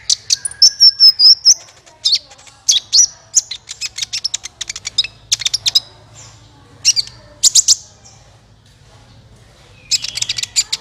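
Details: Trapping lure call of a sunbird, the kolibri ninja, clear and bright: a high wavering whistle, then clustered sharp chirps and buzzy bursts, a quiet gap, and a final chirping burst.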